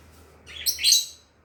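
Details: Pet lovebird playing with a mirror: a short burst of bright, high chirps and squeaky twitters, two quick notes close together, over a quiet indoor background.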